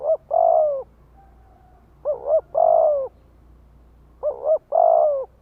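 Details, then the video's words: Spotted dove cooing used to make wild doves call in response: three phrases of a quick wavering double note and a drawn-out mellow coo, about two seconds apart, over a low background drone. "Tiếng chim cu gáy kích mồi cực chuẩn - Bổi nghe là gáy theo"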